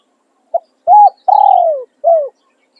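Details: A single clean phrase from a decoy spotted dove in calling and tossing song: a quick short note, an arched coo, a long downward-sliding coo and a closing short falling coo, with nothing else heard.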